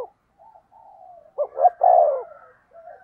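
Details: Low cooing from a spotted dove used as a decoy to excite rivals: quiet drawn-out coos, then two quick notes and a long, breathy, falling coo, fading into soft murmurs.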